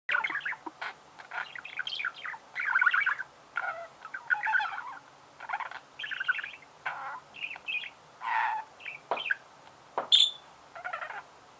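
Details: Budgerigar singing: a chattering warble of short buzzy and whistled phrases, mostly in a mid-high pitch band, broken by brief pauses, with one sharp high squeak near the end.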